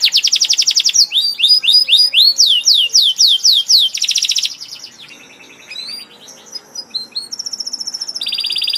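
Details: Canary singing vigorously: rapid trilled bursts, rising and falling whistled slurs repeated in quick series, then softer buzzy notes and a steady high sustained trill at the end.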